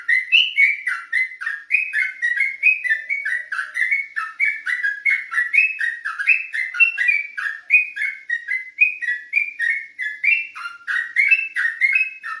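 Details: Olive-backed tailorbird singing at night: a continuous run of short whistled notes, each sliding down, steadily repeated several times a second with slight shifts in pitch, over a quiet background.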